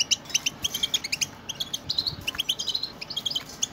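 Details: Several European goldfinches twitter at once, sung to prompt caged goldfinches to sing. Quick, high metallic notes and buzzy trills tumble over one another in a steady, lively chatter.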